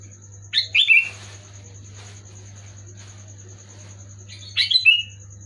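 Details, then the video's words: Sooty-headed bulbul singing, played to make an unwilling pet bulbul sing: two brief bursts of chirpy descending whistles, the first near the start and the second after a pause of about four seconds, over steady low hum. "Suara burung kutilang gacor keras jelas bikin kutilang omyokan macet malas bunyi auto bunyi gacor"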